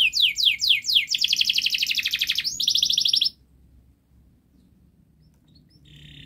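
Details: Canary model song for young canaries: fast falling whistles run into a long, dense buzzing trill lasting about two seconds, then the song cuts off, leaving near silence with a faint note at the end.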